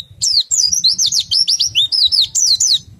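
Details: Oriental white-eye song in the ngriwik and ngerol style running into nembak, used to stimulate other white-eyes to sing: a fast, high, continuous twittering warble of rapid rising and falling notes for nearly three seconds, with a low rumbling hum beneath.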